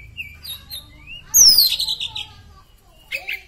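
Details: Kept Oriental magpie-robin (Copsychus saularis), singing strongly after therapy, gives a few soft, high whistled notes, then a loud, buzzy whistle sliding steeply down, and a brief scratchy phrase.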